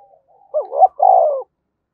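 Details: Spotted dove cooing in the lively thúc bổi style, one phrase of a short warbling rising note and then a sustained hollow coo that drops gently at the end, with a faint soft sound before it.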